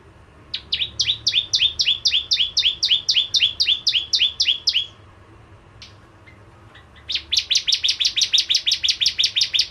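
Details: Bar-winged prinia singing vigorously to lure crystal ciblek birds: a long fast series of clipped two-toned chirps, a short pause with scattered ticks, then an even quicker, buzzier run of high notes.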